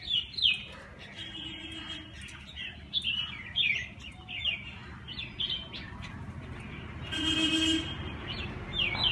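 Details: Several birds chirp on a terrace where they are given food and water every day. Bright, sharp, downslurred chirps follow one another quickly and overlap, with a brief hissing burst near the end and low background hum throughout.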